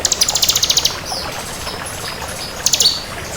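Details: Crystal bar-winged prinia with a rapid run of high, sharp, repeated notes, a pause with faint thin whistles, then a short second burst.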